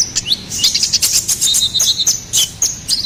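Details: Ruby-cheeked sunbird, gacoran song for training and luring songbirds: quick high-pitched twittering with several downslurred whistles and sharp chips in close succession.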